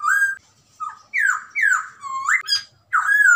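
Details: Hwamei, white- or grey-cheeked bird in full song; a short series of loud whistles, each a bold slur dipping or rising, separated by brief gaps, ending on a long descending note.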